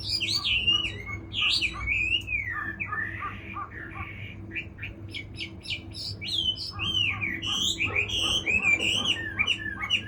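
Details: Chinese hwamei singing a loud, varied run of slurred whistled phrases that swoop up and down, with some phrases briefly rising high and sharp, under a low steady background hum.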